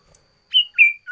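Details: Two bright whistles from a sooty-headed bulbul's loud varied song, the first high and level, the second starting lower and flattening, with a third note just beginning.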